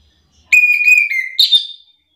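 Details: An orange-headed thrush lure recording, meant to provoke other thrushes into answering song, gives a clear, steady whistled phrase that dips slightly, then ends in a bright, falling flourish, with nothing else heard.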